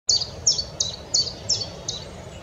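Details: Wood warbler at Oldbury Power Station on 9 May 2021, singing six thin, very high, downslurred notes, about three per second, over a faint low background rumble.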